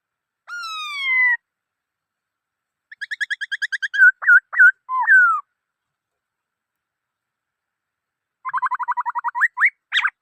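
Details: Black-throated laughingthrush song with a falling whistle, a fast rattling trill of short notes, several looping whistled notes, and a final quick trill ending in upward-swept whistles.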